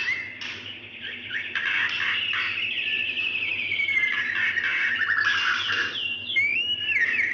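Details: Moaning lure call of a female White-rumped shama calling a male: a fast rattling stream of chattered notes, about four per second, blending into buzzy trills and ending with a few upslurred whistles, over a low hum.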